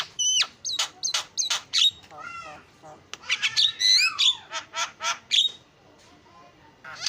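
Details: Champion-style starling song, offered as a lure to set other birds singing: quick repeated clicks and whistles, about three per second, then looping bent whistles and raspy chatter, ending with a louder slurred whistle before fading.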